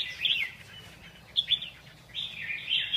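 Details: Red-whiskered bulbul song: three brief bright whistled phrases with quick upward and downward slurs, separated by pauses, over faint low background hum.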